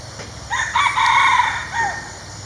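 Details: A single loud crow from a wild red junglefowl male, territorial or courting, typical of morning: brassy broken notes swelling then trailing into a falling tail.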